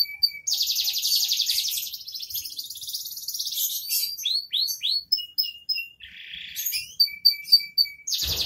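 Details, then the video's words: Canary in full, continuous song: a long buzzy trill, then rapid chirps and falling slurred whistles, a rattling phrase, and more quick high notes, with a low thump at the end. "SUARA BURUNG KENARI GACOR DORR"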